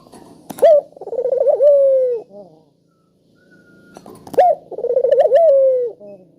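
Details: Spotted dove calling to prompt lazy doves to answer: two loud phrases, a sharp note then a wavering rolling coo that slides down, with clicks at each phrase start.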